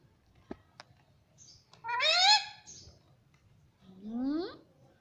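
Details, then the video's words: Parrot kept as a pet, speaking "mummy": two drawn-out, harmonic, voice-like calls, the first rising then levelling, the second climbing steeply, with a few sharp clicks before. "Mummy Papa Bolne Wala Tota || Talking Parrot"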